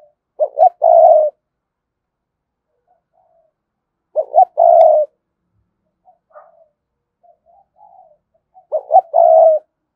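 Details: Cooing spotted dove used to draw wild doves into responding. Three low phrases come roughly every four seconds, each with two short notes and a long throaty coo. Soft faint coos fall between them.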